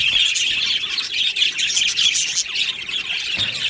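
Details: Many budgerigars kept in an aviary, chattering in a thick wash of shrill squeaks, chirps and scratchy warbles, constant and loud for the whole moment.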